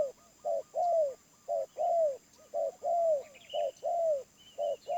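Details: Wild spotted dove, medium-pitched voice, giving paired mellow coos, a brief note followed by a drawn-out falling one, repeated evenly; thin chirping of other birds behind.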